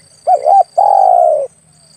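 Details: Spotted dove lure call used for hunting: a quick doubled coo followed by a long, sustained purring coo that slowly falls, given once; steady faint high hiss in the background.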